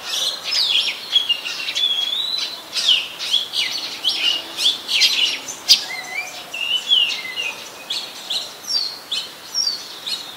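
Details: Very common resident Oriental magpie-robin in Ubon Ratchathani, Thailand, 24 December 2020, filmed on a Nikon P1000; a lively run of sharp high notes and short slurred whistles, the varied phrases coming in quick succession.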